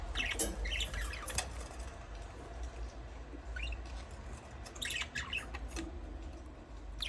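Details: Budgies chattering in bursts, quick scratchy chirps and rising squeaks at the start and again near the end, quieter gap in between, low background rumble throughout.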